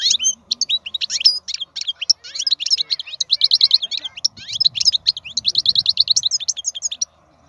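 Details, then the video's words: Strong-voiced wild European goldfinch singing a long run of quick, jangling, high twitters and repeated trilled notes, ending abruptly, with a faint low murmur in the background midway. "تغريد الحسون خلوي ممتاز.هذا مقنين هو الأكثر قوة بين الطيور"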